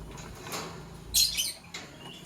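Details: Pet lovebirds, a green Fischer's and a pastel blue, chirping in the morning; a loud, harsh, high burst of chirps near the middle, with fainter scratchy chirps before and after over a low background hum.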